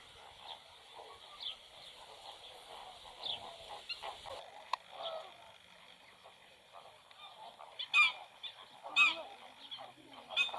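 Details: Black-winged stilt at a nest where two chicks have just hatched and one egg remains; the chicks already feed alone. Steady background hum, then three sharp, loud, harmonic calls near the end, about one per second.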